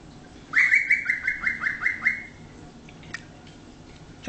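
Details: Pet male cockatiel, 13 years old, still learning new words; a quick run of about eight bright whistled notes, each sliding upward, then fading, with a few faint clicks and a person saying a word nearby.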